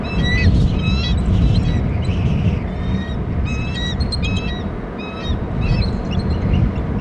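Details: Two adult eagles call from their nest territory on Hornby Island, beside the eaglets, on a nest camera at 10:47. Thin, high, piping notes come in rapid chittering series, repeated through the clip over loud wind rumble.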